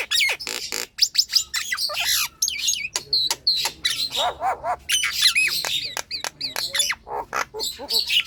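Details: Long varied Nias hill myna song, a lure for birds slow to sing: continuous stream of sharp clicks, piercing whistles, downward slurs and harsh chattering squawks.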